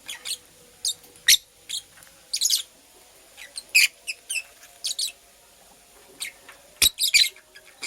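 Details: Purple female lovebird building a nest, giving short, sharp, high chirps in scattered bursts of one to three notes, separated by brief pauses, over a faint steady indoor hum.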